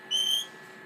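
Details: Red-rumped parrot, one of a courting pair now incubating with one egg laid, gives one clear, level, high pure whistled note lasting about a third of a second against a quiet background.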